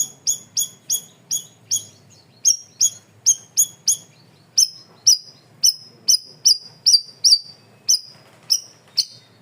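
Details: Cream-vented bulbul in full voice on a loud, clear training recording: a rapid, even series of about twenty-five sharp, high chips, roughly three per second, later notes slightly longer and slurred.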